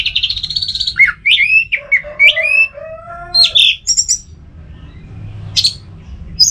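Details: Caged orange-headed thrush at home in Singaraja, Bali, pouring out a rich medley: a wavering high whistle, swooping slurred phrases, low mellow warbles, then scattered sharp chips.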